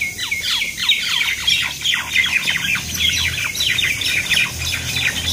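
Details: Common mynas fighting at Talepur, Kalatia, Keraniganj, Dhaka, Bangladesh; dense overlapping harsh squawks and rapid descending screeches without pause, several birds calling at once, with low rumbling background noise.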